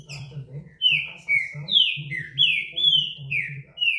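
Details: Green-winged saltator, described as a fine singer, delivers a rapid run of loud, clear whistled notes. Each note slides downward, about eight in three seconds, over a steady low hum.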